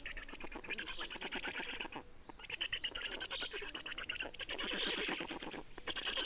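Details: Black storks at a nest in Estonia during changeover and feeding, 30 May 2019, 15:28; dense, rasping, rapidly pulsed calls run almost without a break, with one brief dip near the two-second mark and a clicking texture throughout.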